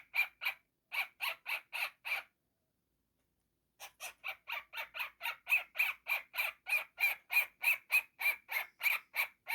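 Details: Young pet cockatiel indoors making funny noises: harsh, buzzy squawk-like calls repeated rapidly about three times a second, a short run, a pause of over a second, then a longer steady series.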